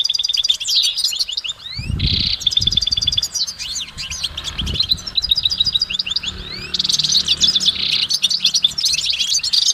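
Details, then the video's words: Goldfinch singing in nature: a long, dense stream of high, rapid twittering notes with buzzy trills and quick rising and falling slurs, barely pausing, with a few low thumps near the start. "Exceptional recordings of the goldfinch in nature"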